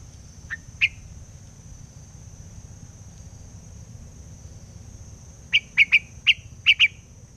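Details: White laughingthrush serving as a trapping lure bird, singing in the forest: two separate sharp chirps, a quiet gap, then a tight burst of six quick clipped notes near the end.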